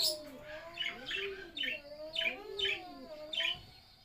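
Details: Budgerigar chicks being fed by their parents give raspy, harmonic begging calls in quick bursts, roughly twice each second.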